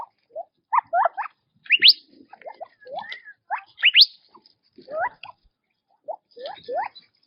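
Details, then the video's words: In natural habitat, quail feed while giving irregular chirps. Low short notes in small groups alternate with sharp upswept whistles, spaced over several seconds with soft background twitters. "Quail Birdsong in Nature - Relaxing Chirping Sounds"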